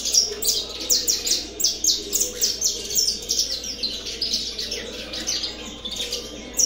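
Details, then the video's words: Rufous-collared sparrow, a male resuming its song, repeated high chirping and twittering notes in rapid bursts, roughly every second, over a low steady hum. "canário da terra CT surpresa voltando a cantar"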